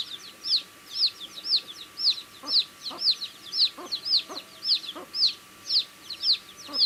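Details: Chicks eating food, one loud chick peeping steadily about twice a second with clear high down-curving notes, fainter chirps behind, and a few soft pecking taps.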